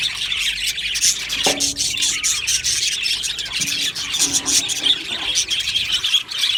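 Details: Chorus of Australian budgies in an aviary colony, dense overlapping high chirps and chatter with a few lower tonal notes around the middle and later on.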